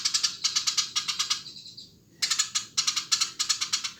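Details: Eurasian tree sparrow in energetic song: clusters of quick, scratchy chirps in rhythmic groups, one brief pause, then more rattling chirp runs.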